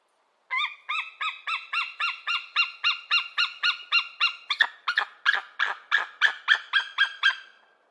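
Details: Eagle calling in a fast series of about four notes per second: clear, slurred notes with ringing overtones give way to harsher, downward-sweeping notes, with no other sounds.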